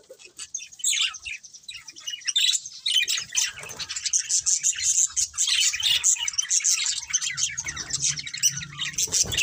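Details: Pet budgies warble and chirp in an overlapping, scratchy chorus that builds from a quieter start, with some harsher squawk-like notes and a low rumble late on.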